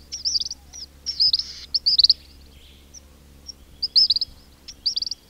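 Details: Close-up of a king cormorant colony with whistling chicks and grunting adults: quick runs of high, thin chittering whistles, denser in the first two seconds, then sparser bursts, with faint low rumble behind.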